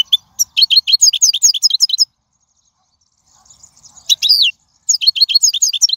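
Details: Goldfinch in the wild, song used for tutoring fledglings: two seconds of rapid liquid twittering, a near-silent gap, then more bursts of sharp chirruping phrases.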